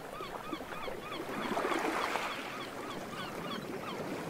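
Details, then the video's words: Several gulls flying overhead at a beach give short, arched mewing cries, overlapping several times a second over a steady rushing wash of surf on the shore. "sea sound effect with seagulls"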